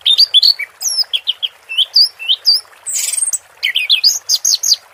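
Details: 'Teler' singing of an orange-headed thrush, with water therapy: a continuous stream of rapid whistled chirps and slurs at varying pitch, broken near the middle by a short buzzy rasp.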